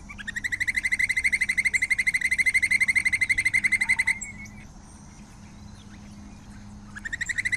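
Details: White-necked puffbird song: a long, even trill of rapid, high, pulsed notes at a steady pitch that runs about four seconds, then stops and resumes near the end.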